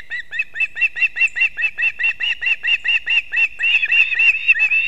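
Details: Wild male osprey at a nest in Kurzeme, Latvia, bringing two fish at once to its chicks, 6:40 am, 3 September 2024: a steady, unbroken run of sharp, high whistled chirps, about four each second.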